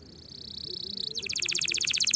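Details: Canary song for teaching fledglings early for 2024: a soft high buzzing trill building in volume, then a loud, evenly pulsed bright rattle of about ten notes per second.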